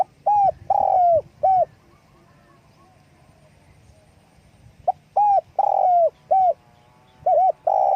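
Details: Spotted dove calling with wing flapping; two phrases of soft hollow coos, each built from short notes and one drawn-out sliding coo, with a quiet gap between.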